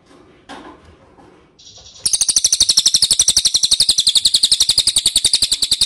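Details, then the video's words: High, piercing chips from an ashy tailorbird lure recording, meant to make birds respond, start after two seconds of low murmur and continue as a fast, steady, unbroken rattle of notes. "PANCINGAN CILILIN DIJAMIN NYAHUT"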